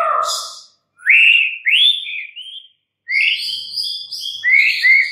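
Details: White-rumped shama song in clear bursts: a rich fluty note, then upslurred whistles, a pause, then a quick series of high bright trills and sweeping whistles.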